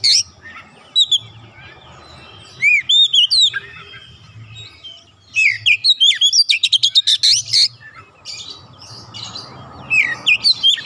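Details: Untrained oriental magpie-robin singing continuously: varied, clear whistled phrases with rising and falling slurs, broken by bursts of rapid, sharp repeated notes.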